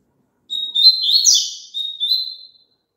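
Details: Song of a double-collared seedeater, meant to prompt a caged bird to join in. A level whistle leads into a quick warbled burst, then returns to drawn-out whistled notes. No other sounds are heard.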